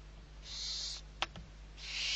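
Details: Barn owl owlets being fed, one of six young at Riet Vell reserve, Ebro Delta, Spain, 21 November 2023: two rasping hisses with a pair of sharp clicks between them, over a constant low background hum.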